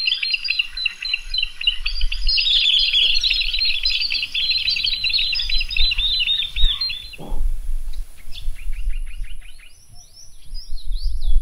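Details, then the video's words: Comb-crested jacana, also called Jesus bird, with newly hatched chicks in the wild at Fogg Dam near Darwin, Northern Territory, Australia: a dense stretch of high chirping and twittering notes, then rapid clipped notes, over a low rumbling background. "Comb Crested Jacana with newly hatched chicks."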